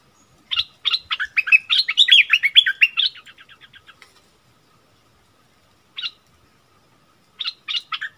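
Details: Bulbul singing against a wild bird, 27 March 2021. Busy chirping phrases fade into a trail of soft ticks, then a long silence broken by a single chirp and a final short phrase.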